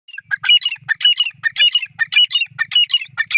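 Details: Francolin, locally called teetar, calling in a rapid run of harsh, scratchy bursts grouped in tight clusters, roughly two per second, with soft low thumps beneath.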